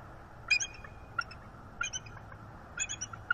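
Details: Wild bald eagles on a nest cam in northeast Florida, a female signalling readiness to mate while perched beside her mate in the morning. A few sharp high chirps come in small clusters against a constant hiss.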